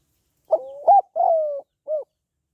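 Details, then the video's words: One complete cooing phrase from a female spotted dove calling males: a brief opening coo slurring upward, a punchy short coo, a long gently falling coo, and a short soft closing note. The background is silent. "Tiếng Cu Gáy Giọng Hạp BổI ĐỦ BÀI [ GÁY GỌI,THÚC,GÙ ]"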